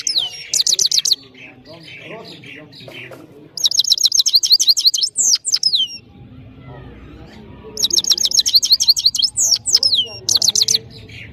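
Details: Powerful saira song from a Parachinar European goldfinch: repeated bursts of fast high twittering and buzzy trills, separated by quieter gaps with faint background sounds.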